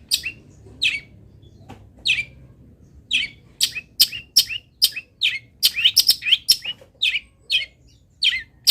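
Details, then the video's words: Cendet, a local long-tailed shrike, giving its required fill-in song: scattered sharp high chirps that speed up midway into a dense, chattering burst, then slow again. Soft background hum. "ISIAN WAJIB BURUNG CENDET"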